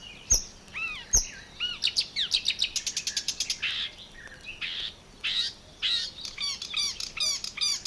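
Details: In the water-meadows and coastal pastures of Matsalu, USSR, 1979, a Marsh Warbler pours out a highly varied song: sharp clicks, looping whistled notes, rapid trills and buzzy bursts changing every second or so.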